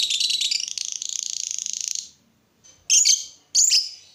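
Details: Lovebird song to encourage other lovebirds to sing: about two seconds of rapid, scratchy high chatter that stops, then two short, shrill, squeaky chirps after a brief silence.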